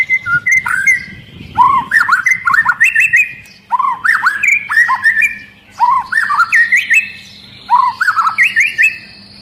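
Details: White-rumped shama in an agitated singing bout, repeating loud looping whistled phrases about every two seconds, fluty notes dipping and rising, with thin high chirps of other shamas joining behind.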